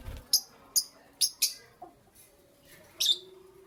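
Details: Lovebirds in the morning giving a handful of short, sharp, high chirps, spaced about half a second apart and then a pause before a final brighter chirp, over quiet background hum.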